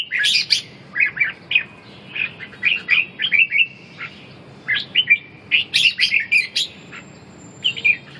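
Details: Red-whiskered bulbul ché duel song for reviving a bird's spirit and strength; short clusters of sharp, bright chirps and slurred whistles come in bursts separated by brief gaps, with a quiet spell before a final rapid flurry.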